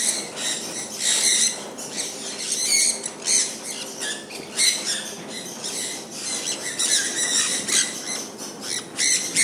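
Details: Several pet sun conures enjoying falling rain, giving a dense chorus of harsh, high screeches in quick overlapping bursts, with a steady patter of rain throughout.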